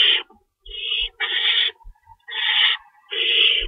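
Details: At night in an owl nest during feeding, March 25, 2012, 3:53 AM, two rabbits stored: rough hissing screams, some running together, interspersed with brief thumps and scraping.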